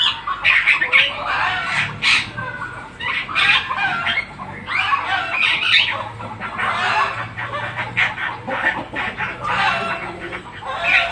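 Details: Black-winged starling in full song: loud, continuous harsh chatter of squawks, rasping notes and short whistles in uneven bursts, with no pauses.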